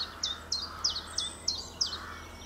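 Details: April 2020 recording of a common chiffchaff delivering six crisp, high, slightly falling notes spaced about a third of a second apart, set against faint steady background noise.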